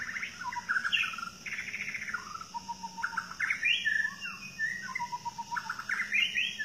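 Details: Wild White-rumped shama, the Medan variety, singing in forest: varied whistled phrases sliding between low and high notes, bursts of rapid warbling and repeated sweet notes, with a steady insect hum and low background rumble.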